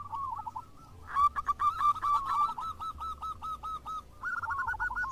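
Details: Local zebra doves calling back and forth in vigorous song: after a quiet start, a run of rapid, clipped, arched cooing notes at a steady mid pitch. A second burst of denser notes joins near the end, with low background rumble.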